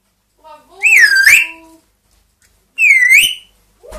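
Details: Pet parrots kept indoors, a two-year-old grey parrot and a one-year-old Amazon, imitating sounds: two loud, wavering whistled phrases, each rising and falling, about two seconds apart, with a brief soft note at the end.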